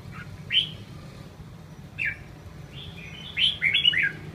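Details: Prize-winning caged red-whiskered bulbul, eight seasons old, fussing and refusing its bath: short sweeping chirps at the start and middle, then a quick rich warbling phrase of several rising and falling notes near the end, low background hum.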